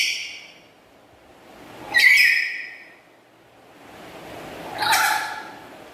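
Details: Black-capped lory, a tame pet parrot with a loud, melodious voice, gives two harsh, broadband shrieks about three seconds apart, with quiet room hiss in between.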